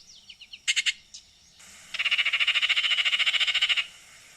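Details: Baltimore oriole giving a few quick chips, then a long dry, harsh rattle of about twenty rapid notes lasting nearly two seconds.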